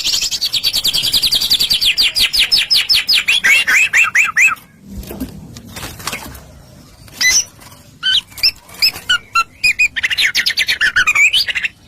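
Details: Murai batu (white-rumped shama), singing vigorously in gacor style as a lure to provoke other shamas: fast runs of repeated descending whistled notes, a short noisy pause, then scattered sharp notes and another rapid twittering phrase.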